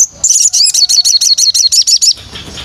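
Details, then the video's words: White-rumped shama, from training material for song-keeping, delivers a rapid run of about eleven crisp, high, repeated whistled notes, evenly spaced, after a brief opening tone, then falls quiet over faint background noise. "MATERI BARU BURUNG MURAI dijamin nembak pedas"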